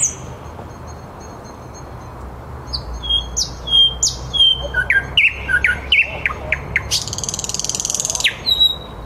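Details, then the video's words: Thrush nightingale singing live at 21:30 in Käpylä, Helsinki, a varied run of high whistles, sharp downslurred notes and a fast dry rattle, phrases changing every second or so over a low city hum. "Nightingale in fifty-seven languages !"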